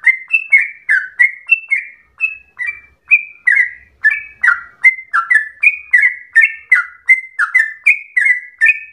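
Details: Yellow-vented bulbul singing an extended rapid ropel run said to sound like a straw-headed bulbul: rolling series of bubbly, slurred whistled notes, steady in pace, each note quickly descending.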